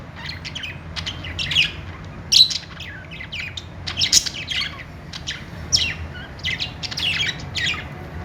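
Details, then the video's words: Happy budgerigars chatter in quick bursts of sharp, high chirps and short squawks, irregular and overlapping, over a faint low hum. "cute budgies making happy sounds.budgie call sound."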